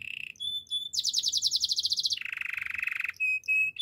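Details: Singing canary for training: short steady whistles, a high rapid roll that drops into a lower, harsher trill, then more short clear notes.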